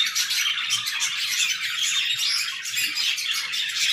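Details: Aviary budgerigars keep up a steady, busy chorus of high twittering and warbling chatter that barely rises or falls.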